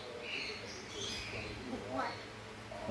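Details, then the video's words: A pet grey parrot, said to be announcing that it needs to poop, speaks a few quiet, soft human-like chattering syllables with brief rising chirpy inflections, ending with a sharp click. "Grey Parrot Announces Needs to Poop"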